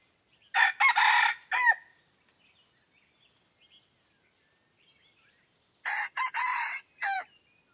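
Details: Red junglefowl used as a decoy to lure wild junglefowl, crowing twice about five seconds apart. Each crow has several loud, harsh, clipped syllables and ends in a short bent final note, with near silence between.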